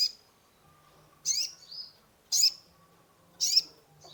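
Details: Sunbird (kolibri ninja) in full, lively song used as a lure for a stressed caged bird; three bright, piercing chirp bursts spaced about a second apart, each with a short trailing high note, over a quiet background.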